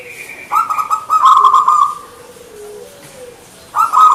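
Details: Local zebra dove (perkutut) singing in the manggung style: loud, rolling, slightly buzzy coo phrases held at one pitch for over a second, a softer low coo in between, then the rolling phrase returning.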